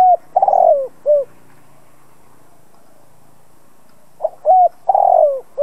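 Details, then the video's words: Spotted dove kept as a decoy, cooing to stir rival doves to answer: a mellow, hollow phrase ending in a falling note, a quiet gap, then the phrase begins again. "Chim cu gáy mồi cây gáy gọi kích bổi tập mồi căng lửa. Cu đất gáy kích bổi."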